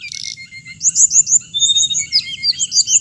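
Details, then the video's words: Quick repeated slurred chirps, roughly three per second, from a hồng hạnh songbird, after an opening buzzy note, with high whistles layered between. "suab noog txiv leev lau2 tiếng chim hồng hạnh"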